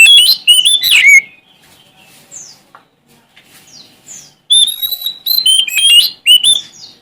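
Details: Singing Sumatran Oriental magpie-robin, out to challenge rivals: a dense opening burst of twisting whistles, a quieter gap with faint descending notes, then renewed loud pure whistles and rapid, jumpy phrases.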